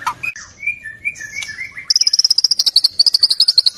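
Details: Indonesian white-rumped shama (murai batu) in full, varied song, said to have a complete set of learned phrases. Soft sliding whistles at varied pitches give way to a rapid, even series of high clipped notes, roughly twenty in quick succession.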